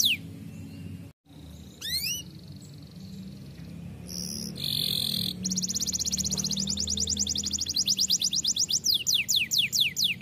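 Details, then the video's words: Canary singing in an energetic rolling style, starting with a few rising whistles, then buzzy trills and rapid repeated high notes that grow louder toward the end, over a low steady background hum. "KENARI GACOR ROLL MANTUL"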